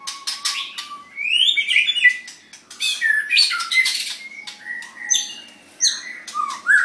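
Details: Singing white-rumped shama prepared for a weekend song battle: harsh squawks and crackling notes alternate with swooping whistles and a low, level tone, delivered in loud, busy bursts.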